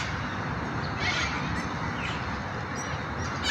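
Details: An Australian cockatoo in a tree giving harsh, raspy screeches in short bursts about a second apart, partly buried under steady wind-like rumble.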